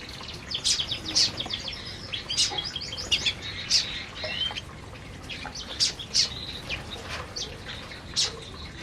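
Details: Several canaries eating in an aviary give scattered high, thin chirps and short twitters at irregular intervals over a quiet background.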